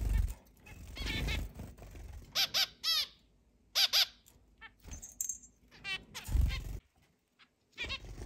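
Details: Household flock of eight zebra finches in a large cage, sometimes let out to fly indoors, recorded 10 July 2022: bursts of nasal beeping calls, some in quick doubled pairs, with low thumps and rustling between.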